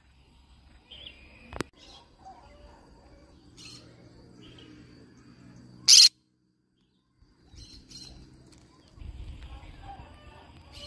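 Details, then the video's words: Yellow-sided conure screams once, a brief loud rasping burst midway, with a sharp click earlier and soft low rumbling around it. "Yellow sided conure parrot bird sound"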